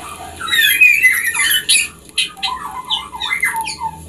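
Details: Song of a white-rumped shama, played so that farmed birds will breed sooner: harsh squawky notes, then sliding whistles and chattering phrases that fall to lower, mellow notes. The sound is continuous throughout.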